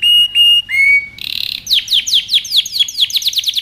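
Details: Excited male canary singing to make a female take the mating posture: steady high whistled notes open the phrase, then a buzzy burst and a fast series of sharply descending chirps repeated several times a second.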